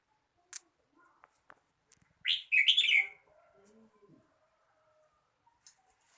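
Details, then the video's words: Red-whiskered bulbul delivering a loud, rich warbled phrase of several quick notes, with scattered faint clicks and soft lower sounds around it. "chào mào hót"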